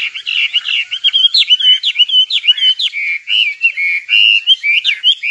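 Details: Nightingale in song: a continuous, varied run of short warbled and whistled notes, rising and falling quickly, with brief pauses between bursts.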